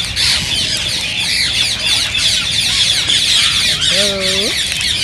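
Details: Green rose-ringed parakeets whose sound is said to stimulate singing and mating fill the recording with rapid high squawks and chatter, ending with a drawn-out, rising lower harmonic call.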